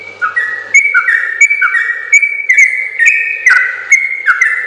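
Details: Sooty-headed bulbul (trucukan) singing the rapid, long ropel-style song used to train other bulbuls. Brisk whistled notes alternate between higher and lower pitches in a steady, lively run.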